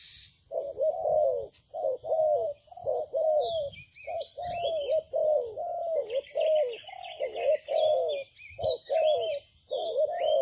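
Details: Spotted dove of Malaysian breeding cooing steadily in a long rhythmic series of mellow, slightly wavering notes, while other small birds chirp and twitter thinly in the background over a steady hum.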